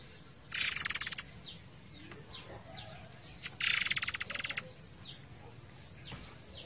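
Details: Forktail singing in a tutor recording for training cage birds, with a flowing-water backdrop: two harsh, high, pulsed rattles about three seconds apart, with faint thin downslurred whistles between them over a steady hiss.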